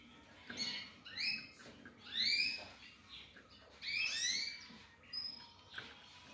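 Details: Young mule of African yellow canary and canary producing a loose series of sharp rising chirps, some doubled, roughly every second, then a thin high note and a final soft call.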